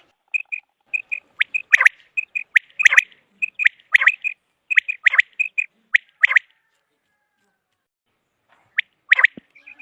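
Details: Common quail uttering clipped pips in twos and threes with sharp sweeping notes, followed by a few seconds of silence and a final short burst.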